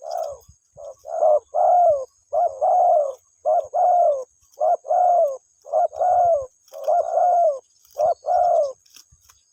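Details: Repeated soft hooting coos of a spotted dove calling for its mate, grouped short-long in a regular rhythm for nearly ten seconds, with a faint constant high whine in the background.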